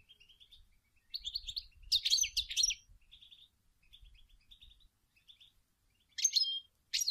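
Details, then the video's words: Female European goldfinch using song and calls to spur males into singing: soft high twitters, then a loud jangling burst near two seconds, quieter chatter, and sharp tinkling phrases toward the end. "Chant et des appels incroyable d une femelle chardonneret pour stumuler les males à chanter"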